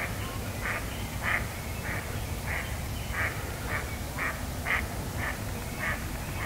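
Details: Unseen duck heard outdoors, giving a steady series of about ten short nasal quacks, roughly two per second, over a broad hiss of background noise.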